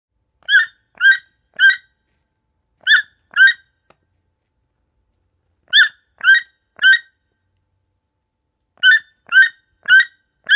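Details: Young toucan chick calling: short, nasal, harmonic-rich notes given in quick bursts of three, then two, three and four, with pauses of a second or more between bursts; clean, quiet background with no other sounds.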